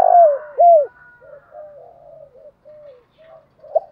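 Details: Spotted dove giving the 'thổ đồng thúc dấu' call, from a collection of decoy-bird voices: two loud, hooked coo notes that bend downward at the start, followed by a run of soft, quiet coos.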